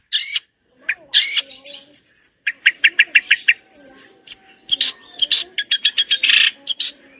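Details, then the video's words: Long-tailed shrike in full voice, a master recording with complete material: loud harsh bursts, then a row of clipped notes under a steady thin high whistle, ending in dense rasping chatter and a broad noisy note. "Masteran cendet gacor dor isian mewah materi komplit"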